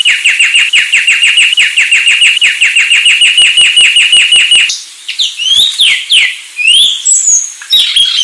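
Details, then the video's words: Sulawesi myna singing a rapid, steady series of sharp repeated notes for nearly five seconds, then a pause and a string of varied rising and falling whistles and chirps. "Anis Sulawesi"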